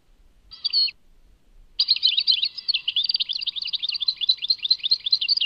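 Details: Goldfinch song, Tadmait: one short twanging phrase, a pause, then a continuous tumbling stream of high, rapid, jangling twitters and slurred notes lasting nearly four seconds.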